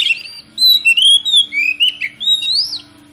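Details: Oriental magpie-robin (kacer) lure song for rousing other kacer to sing. A continuous string of loud, clear whistled phrases, some rising and some dipping, runs almost the whole way, with a steady low hum underneath.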